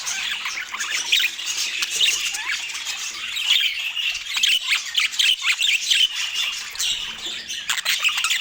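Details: Budgerigars chirp during a healthy meal in Scandinavian light, giving a busy warbling chatter of many overlapping high notes that swells and dips in loudness.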